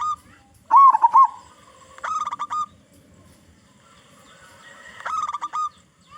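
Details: Local zebra dove with a big voice, used as a lure for other zebra doves: a rolling warbled trill, then a quick run of staccato coos, a long gap, and another stuttering phrase of clipped notes.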